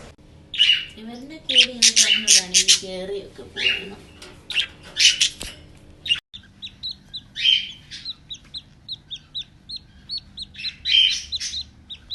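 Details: Happy pet budgerigars chirping and chatting, with loud clustered bursts of sharp chirps, a short run of lower squawky notes early on, then a quieter series of quick repeated tweets.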